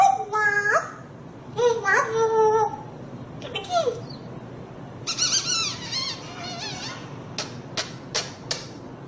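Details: African grey parrot vocalizing in speech-like, harmonic syllables during the opening seconds, then a quick run of chattering squeaks, ending with several short, sharp clicking notes spaced about half a second apart.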